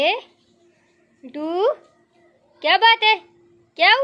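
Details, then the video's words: Talking ring-necked parakeet gives short, speech-like phrases with rising, harmonic-rich tones, four separate bursts spaced by brief silences, in a quiet room. "Cute And Funny Parrot Talking & My Amazing (Ring Neck Parrot)"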